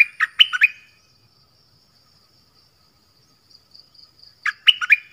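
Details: Sooty-headed bulbul giving a brief warbled phrase of quick up-and-down whistled notes, a long silence, then another phrase starting, with a faint high hiss in the background.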